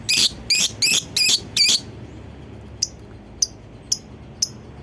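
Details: Lovebird giving a lure call to set other lovebirds singing: five rapid, harsh, high-pitched chattering bursts in quick succession, followed by thin sharp ticks at roughly half-second intervals.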